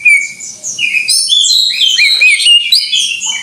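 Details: Greater green leafbird in full gacor song: a thin drawn-out whistle leads into a dense, overlapping rush of high chirps and slurred whistles.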